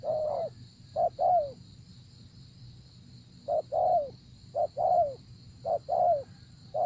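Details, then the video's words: Spotted dove calling during 'gác cu gáy' decoy luring of a wary wild dove. Soft, low coos come in paired phrases, a clipped note followed by a longer drooping one, with pauses of about a second and a constant faint high hum behind. "Gác Cu Gáy"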